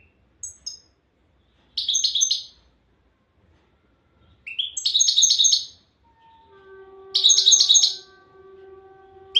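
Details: European goldfinch of the Souk Ahras type, Algeria, singing in three bursts of bright buzzy twittering trills set apart by pauses, with a short rising note before the second burst and a steady low tone humming underneath near the end.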